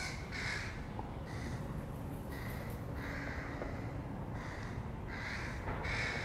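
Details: Young crows around feeding time giving harsh, nasal caws in loose bursts, some drawn out and some clipped, against a constant low background hum.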